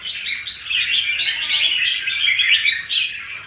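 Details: Red-whiskered bulbul, a wild-caught caged bird fresh from its moult and in lively form, delivering dense chattering, warbled notes that run without a break for the whole stretch.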